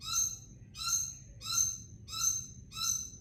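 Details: Red lory from Ambon calling shrilly: five harsh, piercing, raspy screeches repeated steadily about every two thirds of a second, each swelling and fading, over a soft low hum.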